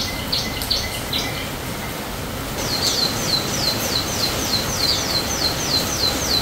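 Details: Rainy-day canary song: scattered high chirps, then an even rapid trill of repeated sharp, falling whistled notes running for about four seconds over a constant hiss.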